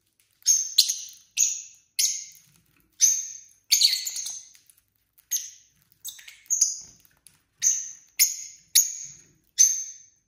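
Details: Several pet lovebird couples chirping at dinner time: short bright chirps in quick bursts, some rasping, about a dozen sharp notes in ten seconds with brief gaps of quiet between them.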